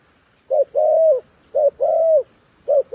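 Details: Decoy dove used to call wild doves down to a trap, giving low coos in a steady two-part rhythm, a clipped note then a longer level one, repeated about every second.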